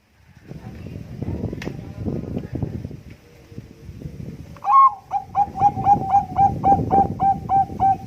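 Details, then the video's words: A Bangkok-type zebra dove (perkutut) with contest-quality voice, recorded for use as a lure, gives a quick run of soft, mellow coos, about four notes a second, opening on a higher note, after low rumbling noise. "perkutut bangkok gacor suara istimewa"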